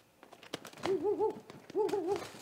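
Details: Amid knocking and rustling at a great gray owl nest under night attack by a great horned owl, 30 March 2018, two bursts of wavering, double-humped hoots captured by a live nest cam.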